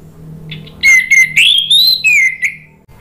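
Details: Orange-headed thrush from Indonesia, 'ngeplong' style song used as a lure to stimulate singing: a faint opening, then loud clear whistled notes rising and falling in a run of slurred phrases over a low background hum.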